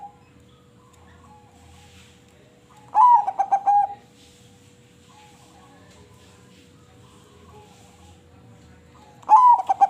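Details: Two song phrases from a crossbred zebra dove, roughly six seconds apart. Each has a rising, slurred opening, then a rapid run of soft, rounded coos ending in a drawn-out coo. The background is low and quiet.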